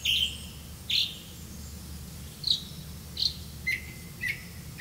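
Grey-capped greenfinch giving short, bright chirps, some ending in a thin falling twitter, spaced irregularly about a second apart over a low background hum.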